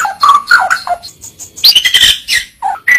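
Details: White-rumped shama singing in short varied bursts: low slurred whistles, a sudden high sweeping note, and quick chirps, each brief and separate.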